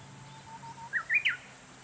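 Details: In a bamboo grove, a Japanese bush warbler gives a low, drawn-out whistle held for nearly a second, then a rising slur and two loud, ringing, falling notes ending the phrase; quiet steady ambient hiss behind.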